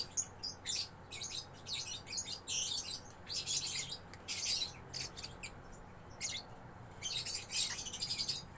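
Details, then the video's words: Juvenile lovebird singing gacor, fairly quiet recording of shrill squeaky twitter bursts spaced by short pauses, with low background hum. "Love Bird Gacor anakan"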